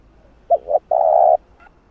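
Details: Spotted dove giving its calling coo, played to stir and train a decoy bird: two short low hoots followed by one long, steady, throaty coo, with quiet background.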